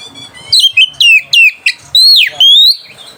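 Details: White-rumped shama singing to provoke rivals and arouse mating: several loud descending whistled notes in quick succession, a sharp swooping note, then a long level whistle.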